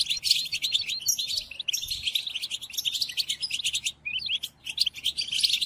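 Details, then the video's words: Goldfinch song meant to teach captive goldfinches: vigorous twittering phrases of bright chirps and trills, with two short breaks near four and five seconds. "قدم هذه الآصوات لطائرك الحسون وشاهد ماذا يفعل Chardonneret"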